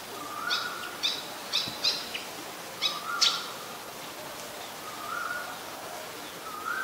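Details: Malaysian pied fantail, a very common resident, recorded in Ubon Ratchathani, Thailand, on 14 December 2020: a series of short, sharp, high chipping notes in clusters, with a lower whistled note from another bird heard intermittently.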